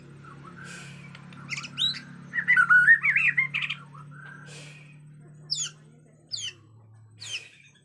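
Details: Bornean white-rumped shama, agitated, natural forest sound: a loud tumbling warble with rapid twisting notes in the first half, followed by three separate sharp high downslurred calls, over a low droning hum.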